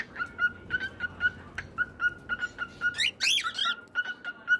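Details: Cockatiel whistling a string of short, evenly pitched notes repeated about three times a second, broken midway by a burst of harsher, higher chattering notes, then returning to the steady whistles.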